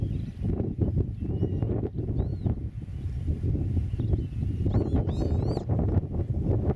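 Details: On a meadow nest watched from eight metres, a Eurasian oystercatcher gives a burst of sharp, high piping notes near the end, after faint thin calls, with constant low wind noise throughout.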